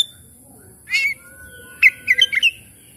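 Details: Oriental magpie-robin song used as a lure to get stressed, silent magpie-robins to sing: a short buzzy note burst, then a quick run of four or five bright chirping notes, against low steady background hum.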